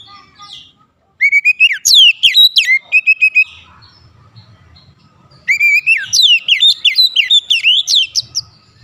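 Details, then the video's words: Oriental magpie-robin singing as a lure meant to rouse other magpie-robins into agitated, steady song: two bursts of loud whistled notes, rising and falling sweeps with sharp downslurs, separated by a quiet gap with faint low rumble. "PANCINGAN KACER ANTI BISU mancing Kacer lain cepat emosi dan gacor"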